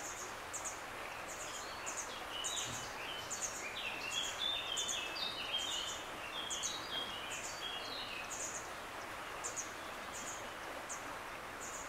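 A young grey wagtail gives sharp, high ticking notes about three times a second, mixed with lower chirps, over a steady rush of running water.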